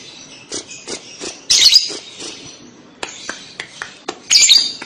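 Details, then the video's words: Lovebird chattering, kekek style, offered as a lure for young lovebirds: short high chirps spaced irregularly, with two louder squealing bursts near the middle and the end. "pasti lovebird paud akan nyaut dengar kekek an labet ini, cara jitu pancing labet paud bunyi"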